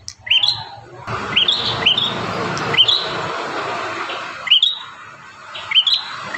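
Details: Bar-winged prinia song from a five-variation training master for caged birds: a handful of sharp high chirps, spaced irregularly, partly masked by a stretch of broad hissing noise in the middle.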